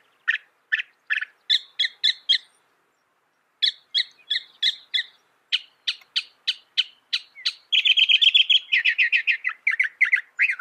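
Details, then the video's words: Northern mockingbird delivering fast, evenly spaced clipped notes in runs, a short silence, more rapid notes, then a loud chattering trill that slows toward the end. "Masteran Burung Kicau Mockingbird Gacor - Mockingbird Bird Sound"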